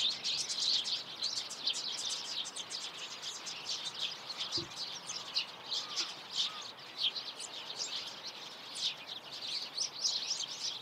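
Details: Eurasian tree sparrows in the morning, many birds chirping at once in a continuous busy chatter of short, high notes, with a single low thump near the middle.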